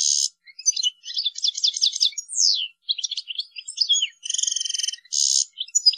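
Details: Goldfinch, European type, in ngrool tembak style for masteran training: choppy bursts of high twittering, buzzy trill blocks, a quick descending slur and scattered sharp chips with brief silent gaps.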